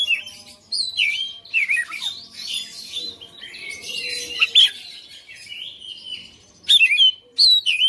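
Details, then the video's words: Song of a caged white-rumped shama kept at home as a fighter: rich mixed phrases of slurred whistles, rapid chatter and mimicked notes, pausing briefly before loud clipped whistles at the close. "KACER RUMAHAN FIGHTER NGOTOT | GACOR"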